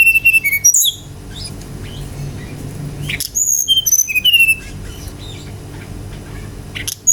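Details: Energetic Brown-chested jungle flycatcher song used to provoke other birds: rapid high whistles and chirps in bursts, including falling whistled notes, then a quieter pause and a final sharp note.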